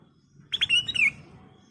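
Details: Energetic kutilang emas, ruby-throated bulbul, giving a lure phrase meant to stir caged birds: a pair of crisp chips followed by clear, sweeping whistles that drop in pitch, over a quiet low hum.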